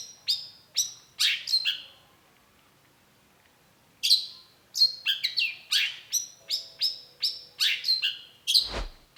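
Long-tailed shrike giving loud, sharp chattering notes that sweep down from high pitch, repeated quickly in bursts with a short pause, plus a brief low hum.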